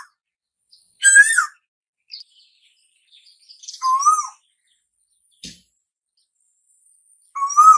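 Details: An Asian koel, heard as a herald of summer, sounds three strong whistled notes a few seconds apart, the first slurred and harsher, the others bending up then down, with scattered faint high chirps and a sharp click between.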